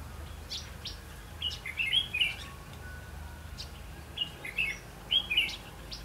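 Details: Decoy red-whiskered bulbul at a trap, 8 October 2016, delivering two clear bouts of quick, bubbling whistled notes separated by a pause of a few seconds, with soft background hiss.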